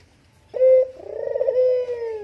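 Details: Spotted dove, used as a luring call to draw out other doves: a deep, steady coo with a sharp opening note then a longer, slightly wavering hoot falling gently at the end.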